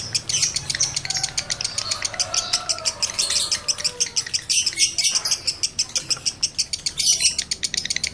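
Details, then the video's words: Lovebird male in high breeding condition, a lure for other males to start ngekek: long run of sharp, high chirps, irregular in spacing, mixed with a few short squeaky whistles. "Masteran Lovebird Jantan Birahi Tinggi || Pancingan Birahi Lovebird Jantan"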